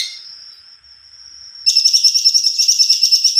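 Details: Long, steady high whistle from an actively singing greater green leafbird, giving way to a loud rapid roll of pulsed, buzzy high notes repeated about three times a second.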